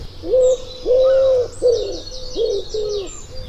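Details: Common Woodpigeon five-note cooing song, lower pitched and more gravelly than a Collared Dove's: soft hoarse coos, the second drawn out longest, with a faint high bird twittering behind.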